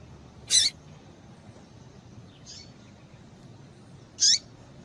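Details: Yellow-bellied Seedeater female calling to stir males to sing. Two loud, brief, high chips about four seconds apart, with a fainter chip between them, over a soft steady hiss.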